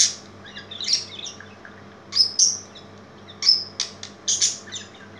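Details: A budgerigar playing and dancing gives bright, scratchy chirps and warbles in short, irregular bursts.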